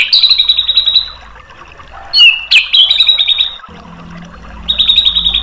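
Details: White-rumped shama bait song to draw a reply: a long, steady, high trill, a quiet gap, a loud sudden whistled burst with a sharp click, another trill, then a closing trill over low hum.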